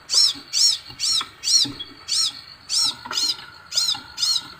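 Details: Crimson sunbird whose song, when played, prompts other birds to call along. Evenly spaced, piercing high chevron-shaped notes, about two each second, continuing through the whole passage against soft background noise.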